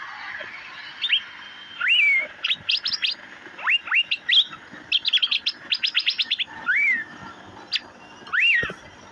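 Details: Asian fairy-bluebird (cucak biru) giving liquid whistles that bend up and then down, mixed with rapid runs of short, steep, high chirps, nearly continuous for nine seconds.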